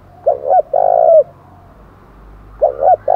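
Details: Spotted dove challenge call for fighting, 'thổ đồng' style: two short hoots followed by a long, level, buzzy coo ending in a slight rise, then the phrase starting again; faint cooing in the gaps.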